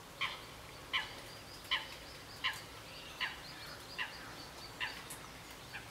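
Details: Northern Shoveler (Anas clypeata) recorded on 12 July 2014 at the Cambounet-sur-le-Sor regional nature reserve, giving a steady series of short, nasal, clipped notes, about one every three-quarters of a second, over a quiet background.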